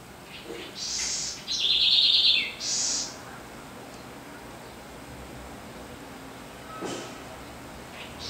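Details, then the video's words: A Southern House Wren (Troglodytes musculus) gives one quick, high, bubbling phrase of about two seconds, sharp notes and a fast rattling trill, then only soft background hiss remains. "O Fascinante Canto da Corruíra – Pequena, Mas de Voz Poderosa!"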